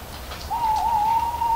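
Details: Owl sounding one level, sustained hoot lasting about a second, clear over a soft background with faint rustles of falling leaves.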